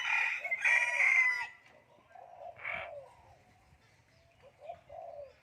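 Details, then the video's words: Talking common hill myna: a loud, harsh, word-like phrase in the first second and a half, then a short nasal syllable and a few soft murmured notes fading away. "common hill myna speaking human language"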